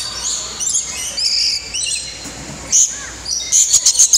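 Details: Lorikeets at feeding time, fed nectar in the Lorikeet Landing aviary at Bird Kingdom, Niagara Falls, Canada, give shrill, high, overlapping chattering screeches, with sharper bursts near the end from several birds calling at once.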